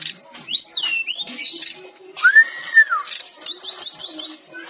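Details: Brown-chested jungle flycatcher song, a masteran training recording: clear whistled slurs rising and falling, a long arched whistle near the middle, then quick rhythmic chirp series and buzzy notes.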